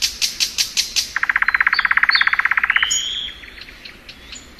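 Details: Thrush nightingale singing in spring: loud clicks, then a rapid rattling trill of about twenty evenly spaced notes, ending in soft high slurred whistles.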